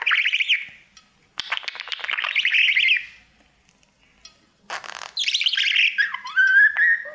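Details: Male budgerigar singing to his mirror as a pet: bursts of buzzy scratchy warbling separated by short silences, ending with rising and falling whistled slides.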